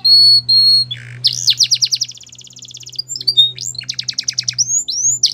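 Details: Singing male canary: two pure whistled notes, a low buzzy burst, then rolling rapid trills and rising chirps over a steady low hum in the background.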